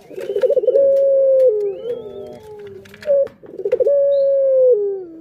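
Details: Lure call of a pet Barbary dove meant to stimulate other birds: a quavering roll leading into a sustained coo that slides lower, then a clipped note and the next roll-and-coo.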